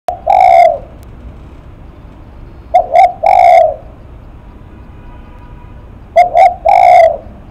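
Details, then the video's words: Spotted dove cooing in the lắc mặt style: three phrases, each two short clipped notes then a longer, rich, low coo, repeated about every three seconds over a quiet background. "Cu Gáy Lắc Mặt"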